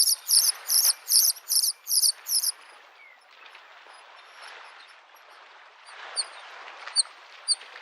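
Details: Spring Bluethroat song at a lakeside: a quick series of about seven sharp, ringing high double notes, then quieter scattered thin notes, with gentle wave noise rolling underneath throughout.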